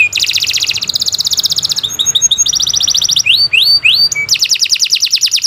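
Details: Lure recording of a canary's long song for training other birds: rapid high trills switching between phrases, pulsing buzzy tours, a few upward-sweeping whistled notes, then a fast repeated trill; no other sounds.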